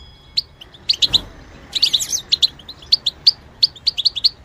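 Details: European goldfinch said to imitate other birds' voices: bright, high twittering chirps in short clusters, sharp notes repeated several times a second with a brief rattling burst near the middle, over a quiet background.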